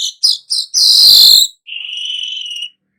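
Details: Weaver song in the style called gacor nyerut: quick high chips, a loud harsh buzzy burst, then a long steady whistled hiss-like note, all high-pitched with no background noise.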